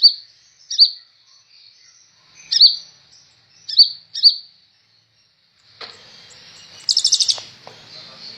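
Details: Kolibri ninja sunbird, recorded as a song tutor for other birds: separated sharp high chips, then a burst of broadband rustling noise and a fast rattling trill near the end.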